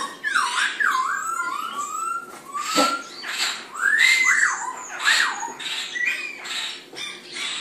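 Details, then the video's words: White-cheeked laughingthrushes competing over animal feed, singing looping slurred whistles that rise and fall, overlapping rough noisy squawks in quick succession, with one low thump near the middle. "Zang Witwanggaailijsters dierenvoer concurrent"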